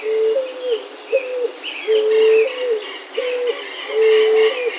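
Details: West Peruvian dove singing a series of low, hollow cooing phrases, each a steady held note ending in a short downward flick, repeated about every second; fainter higher chirps from other birds sit above.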